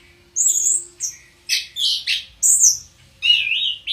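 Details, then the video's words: Orange-headed thrush kept as a house bird, pouring out high thin notes, harsh buzzy bursts and a final rising and falling warble, phrases spaced by short gaps. "Burung Penunggu Rumah Anti Stress!! Anis Kembang"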